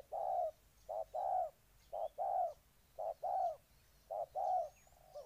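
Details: Spotted dove from Ninh Thuận, Vietnam, repeating rich low coo pairs, a short note then a longer rounded one, roughly every second, over a quiet background with faint high chirps.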